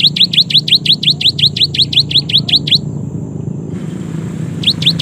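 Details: Cinereous tit, or gelatik batu, in a long run of rapid, evenly spaced high chirps. It pauses and then resumes with a few more notes, over a low background rumble.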